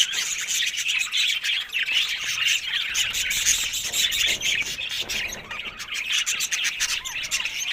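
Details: Several happy budgerigars keep up a busy, unbroken twittering chorus of squeaky notes and rapid ticking clicks.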